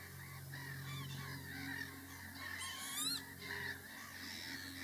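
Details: Lapwing parent with chicks: one loud, wheezy, slurred call arching upward then down near the three-second mark, with fainter similar calls around it over a steady low hum.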